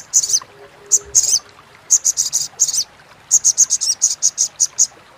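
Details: Crimson sunbird, locally sogok ontong, chattering in crecetan style for training contest songbirds: several groups of shrill, rasping high notes, the final run steady and evenly spaced, faint low hum beneath.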